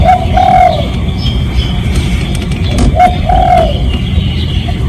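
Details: Lure call of a spotted dove, a real recording meant to draw other doves: two mellow cooing phrases, each a short note followed by a longer drawn-out coo, against a constant low rumble.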